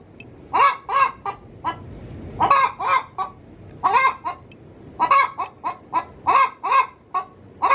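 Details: Pre-laying cackle of a hen inside her coop, offered as a call to draw in male junglefowl: insistent, evenly repeated harsh clucks grouped into several loud bursts across the stretch.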